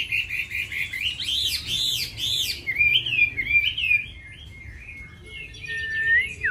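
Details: Captive Chinese hwamei delivering varied wild-style song: a series of looping, arched whistles repeated quickly, then softer sliding notes and a long, thin whistle fading downward.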